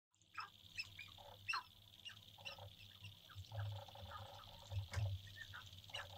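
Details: Male sharp-tailed grouse courting on a lek in central North Dakota in April 2021, just before sunrise, heard from a blind: a busy mix of short clucking and yelping notes with hollow hooting tones over a steady low hum.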